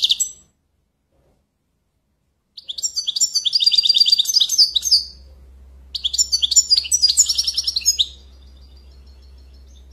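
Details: Goldfinch song: the tail of one phrase, a pause of about two seconds, then two long runs of rapid, sparkling twitters and buzzy trills, with a steady low hum underneath.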